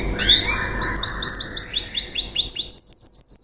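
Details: Young canary in Indonesia delivering a riwikan-style song meant to lure other canaries into copying it: a brief slurred opening, then a rapid series of high rising whistled notes, ending in a fast, even high trill.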